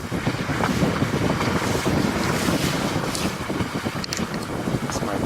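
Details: Heavy wind roars against the microphone alongside boat and water noise, with a constant broad rushing sound throughout.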